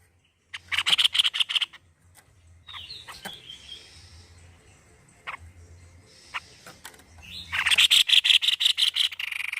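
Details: Highly vocal white-necked babbler: a short burst of quick, ringing pulsed notes, scattered thin calls and clicks through a quieter middle stretch, then a longer, dense run of rapid repeated notes to the end.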